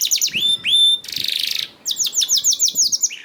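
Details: Canary singing to prompt other caged canaries into song: two clear rising whistles, then a dense buzzy rattle, followed by rapid repeated chirping notes and a lower closing trill.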